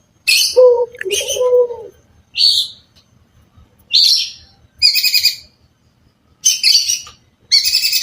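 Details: Long-tailed shrike song: harsh, buzzy bursts separated by short pauses, with lower nasal notes near the start and bright, scratchy phrases later.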